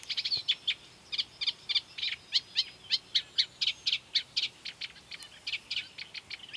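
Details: Riverside Eurasian reed warbler, recorded 12 July 2015 at the Doubrava near Lišice, Svatý Mikuláš, delivering a long string of clicking, grating notes, many paired, at a brisk, fairly even pace over faint background hiss.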